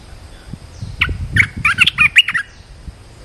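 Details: Red-whiskered bulbul used as a caged decoy to lure a wild bird: a quick burst of sharp, chirpy whistled notes, bunched in a rapid run of about a second and a half, with faint low background rumble.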